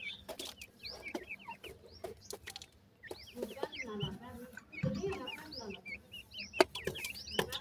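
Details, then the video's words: Grey francolin chicks, called bhura teetar, peep in high, falling whistles in bursts, while low human voices and handling noises are heard in the middle. "grey francolin bird wonderfull chicks,bhura teetar chicks hot voice"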